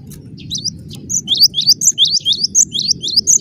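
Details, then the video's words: A cinereous tit (gelatik batu) in vigorous, tightly spaced gacor song: rapid high whistled phrases, roughly three or four per second, running almost continuously above a low droning hum. "Suara rapat +GACOR banget, gelatik batu gacor"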